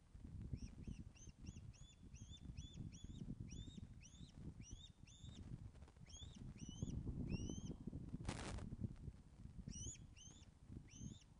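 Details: Webcam recording from the Loch of the Lowes osprey nest in Scotland, 24 August 2012, 14:10, as fish is delivered; loud series of rising whistled cheeps, about four per second, with a pause and a brief electronic beep mid-way.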